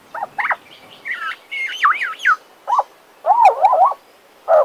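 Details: Pet male Western Australian magpie singing higher, zigzagging whistled notes in rapid rising and falling squiggles, several separate bursts with short silences between them, one lower warble near the end.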